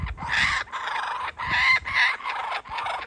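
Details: Father kookaburra teasing his chick with food before feeding it; harsh, raucous cackling bursts repeated about every half second, each rough and broad, rising and falling in rapid succession with short gaps between.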